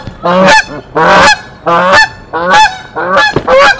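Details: Canada geese, a mated pair at their tree nest in Decorah, defending it against an intruder goose on 1 April 2024: loud nasal honks, six in under four seconds, spaced about every two-thirds of a second, each harsh and richly layered.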